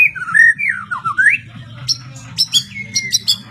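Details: ['White-rumped shama singing clear, looping whistled slurs that dip and climb, followed by crisp high ticks and a sustained falling whistle, with a low background hum.']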